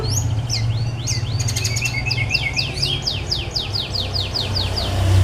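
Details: White-rumped shama song used as a lure to draw replies from other birds: a rapid run of varied whistled notes, upslurs and sharp chirps, with buzzy bursts and falling slurred phrases repeated toward the end, over a steady low hum.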